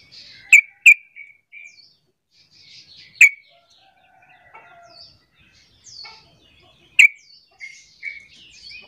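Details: Sooty-headed bulbul lure call to make other bulbuls join in. Loud, sharp single and paired chip notes are spaced irregularly over nine seconds. Softer high chirps and short whistled phrases sound between them.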